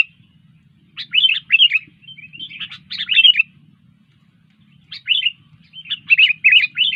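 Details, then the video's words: Sooty-headed bulbul singing actively: short bursts of bright, fluttering whistled phrases, each about half a second, delivered in clusters with pauses between groups, over a quiet background. "Burung kutilang gacor"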